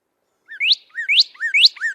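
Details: Northern Cardinal in Missouri sings clear, whistled notes likened to a laser gun: a short lower slur, then a bright rising sweep, repeated about every half second, 'pew, pew pew'.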